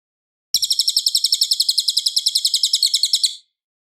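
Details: Cililin in clear, loud song prepared for training White-rumped Shama: after a faint low thump, a sustained, evenly paced trill of high chirping notes runs for nearly three seconds, about eight notes a second, then stops cleanly.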